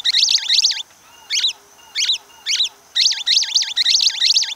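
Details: Orange-fronted yellow finch, called Amazonian canary, from Brazil, singing loud, rapid looping high trills in bursts, separated by short isolated phrases repeated about every half second, on a quiet background.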